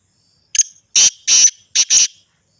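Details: Loud, grating Sindhi black francolin call: a sharp double click, two broad rasping notes and a closely paired rasp to finish, evenly spaced over about a second and a half.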